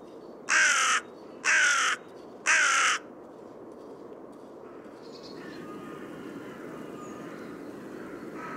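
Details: A Hooded Crow (Corvus cornix) gives three harsh, hoarse caws about a second apart, then falls silent, with faint distant birdsong in the background.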